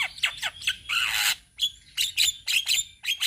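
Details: Black-winged myna from Indonesia, a group of birds calling together: harsh, raspy squawks in quick bursts, with one longer grating rasp near the middle and sharp chattering notes repeated about every quarter second.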